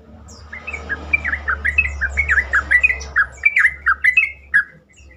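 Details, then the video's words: Sooty-headed bulbul (trucukan) used to coax other bulbuls into singing. A steady, chattering stream of short, liquid, wavering notes runs for about four seconds over a low, steady hum. "pancingan trucukan terkomplit sangat bagus untuk membuat trucukan lain lebih gacor"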